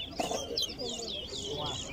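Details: Towa towa (chestnut-bellied seed finch) competing in a singing race at Lusignan ground, Guyana; looping high warbles and slurred whistles continue under a man's voice counting numbers, with light background noise.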